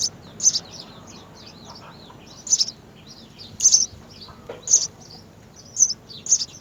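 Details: Three house sparrow young being fed at the nest by both parents: spaced high chirps between many soft, twisting squeaky notes, in a quiet setting.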